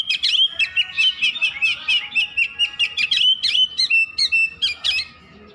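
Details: Oriental magpie-robin pouring out unbroken song, rapid alternating clear whistles and harsh chips, steady rhythm of roughly three phrases per second, fading at the end.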